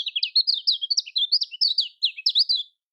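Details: Kecial kuning (lemon-bellied white-eye) in a typical Lombok song: about three seconds of very fast, high, sharp chirps and twitters run closely together, clean and without background noise.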